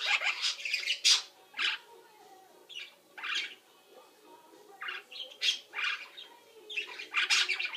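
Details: Indoor parrot in a nap routine imitating linnies, budgies and microwave beeps; dense run of scratchy chirps and squawks in irregular clusters, some brief tonal notes between bursts.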